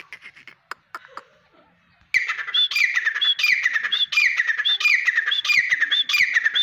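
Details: A grey francolin (teetar) breaks in after a few faint taps with a steady run of about seven loud, gravelly phrases, each ending in a bright rising whistle, delivered in a regular repeating rhythm.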